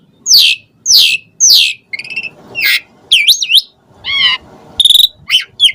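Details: Asian pied starling song used to excite other birds: three loud sweeping downslurred notes, then a mix of buzzy chatter, looping whistles and sharp chirps.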